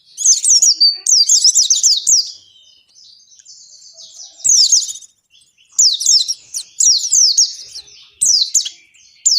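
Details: Continuous ngalas singing from an oriental white-eye, played to coax caged white-eyes into song. High zigzag whistles come in quick runs separated by brief quieter gaps.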